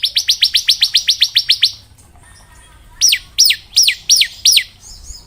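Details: Bar-winged prinia (ciblek) song used as training material for young birds, style called ngebren: a rapid run of sharp descending high chirps, then a pause and five slower, separated downslurred whistles.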